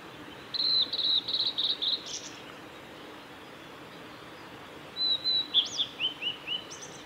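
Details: Male Blue-and-white flycatcher singing on a forest road at Lake Miyagase, Japan, 17 May 2020: two clear whistled phrases of rapid high notes, each about 1.5 seconds, separated by a pause of roughly three seconds, over a soft steady background hiss.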